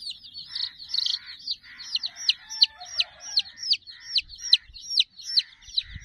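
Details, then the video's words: Among sixty chicks playing with a puppy toy, one bird gives loud, sharply falling peeps about two or three times a second over a fainter chorus of other chicks. "silly chicks chirping"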